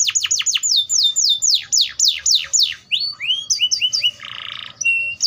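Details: Atlantic canary singing a rapid run of steeply falling whistled notes, then varied chirps, a short buzzy burst and a steady whistle.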